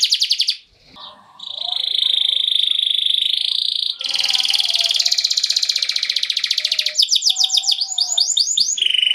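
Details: Atlantic canary singing a rolling lure song for other canaries: long steady buzzy rolls, a brief break, another extended roll, then looping whistled notes and a final held tone.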